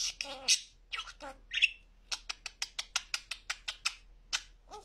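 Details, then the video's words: Pet budgerigar that talks very clearly: a quick burst of chattering, speech-like syllables, followed by a steady run of sharp, evenly spaced clicks and ticks. "En net konuşan muhabbet kuşu"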